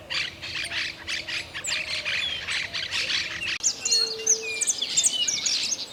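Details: Grayish baywing, a bird of the icterid family about 18 cm long, in a rural, wooded setting: a busy chorus of harsh, squeaky chattering notes with sharp whistled slides, several birds overlapping, plus a steady low hum.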